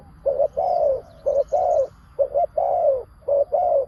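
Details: Decoy spotted dove calling to attract wild doves: soft, low coos in pairs of a brief note followed by a longer descending one, repeated steadily.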